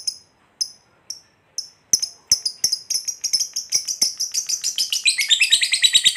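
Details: Fighter lovebird performing the long 'ngekek' trill used to rouse other lovebirds. Widely spaced high, sharp chirps speed up into a dense, continuous, shrill chattering trill that runs to the end.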